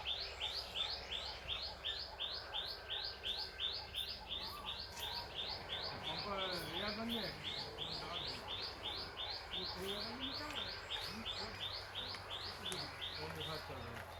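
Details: Farm birdsong of rapid, evenly spaced high chirps, close to three per second throughout, over faint low voices in the middle.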